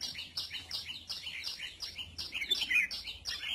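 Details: Red-whiskered bulbul sunbathing; quick high chirps repeat about three times a second under a dense chatter, with a brighter warbled phrase near the end.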